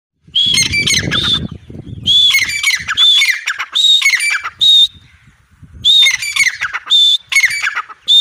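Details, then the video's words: Female grey francolin (teetar) calling in loud, harsh, squawky bursts, each about a second long with a sharp tonal note. The bursts repeat in quick groups separated by short pauses, with low rustling beneath the first calls. "Gray francolin teetar sound|female teetar awaz"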